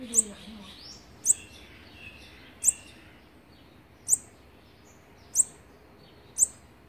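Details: Olive-backed sunbird feeding young, day sixteen of nest feeding, recorded 3 October 2019; a steady series of very high, piercing single chirps about every second, with faint low background murmur at the start.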